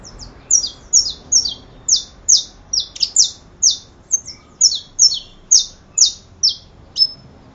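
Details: Saffron finch (canario da terra) singing a long string of high, sharp, downslurred chips, repeated steadily about twice a second, each bright and clipped, with a few softer lower notes between them and little background noise.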